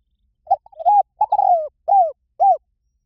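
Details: Spotted dove cooing: brief soft introductory notes, a rising coo, a long coo drifting lower, then two rounded arched coos, low and mellow with nothing else heard.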